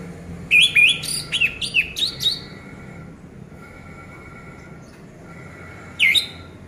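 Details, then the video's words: Orange-headed thrush song, played as a lure to prompt silent birds to sing: a quick run of loud whistled, slurred notes with sharp upward flicks, then a pause with faint humming, and one more bright whistled note near the end. "Pancingan Anis Merah Macet Biar Bunyi Gacor dan Teler Lagi"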